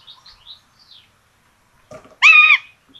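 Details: Tiszalök, Hungary, 26 June 2022: common buzzard nest with two chicks fed rabbit; after faint distant chirps and a soft rustle, one loud harmonic arched call rings out.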